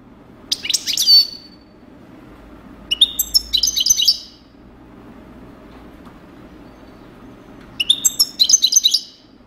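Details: European goldfinch described as a coupleur, singing three short bursts of bright, tinkling twitter, each about half a second to a second long and spaced a few seconds apart, with quiet low hum between phrases.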